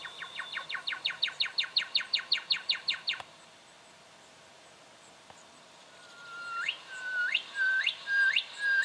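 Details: Juvenile brown goshawk in Victoria, Australia, October 2011: a rapid run of about fifteen short harsh notes, a quiet pause, then four drawn whistles that rise sharply at the end.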